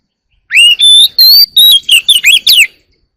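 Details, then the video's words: An Oriental magpie-robin sings in the early morning, giving one loud burst of rapid, sweet whistles that slur up and down, about seven notes packed into two seconds. "Chòe than hót đấu chim rừng quá sung"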